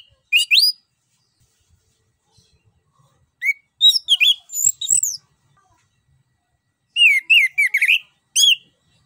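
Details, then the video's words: Orange-headed thrush in energetic rolling song, used as a lure to coax a silent bird into singing. Short bright whistled and chattering phrases in three bursts, sharply rising and falling notes, with long quiet gaps between. "PANCINGAN JITU ANIS KEMBANG GACOR NGEROL NGEPLONG"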